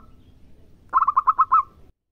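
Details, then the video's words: Zebra dove, local bird, gives one short burst of six quick, rolling coo notes, ending with a faint trailing tone. "Masteran tepat Perkutut Lokal Gacor CEPAT"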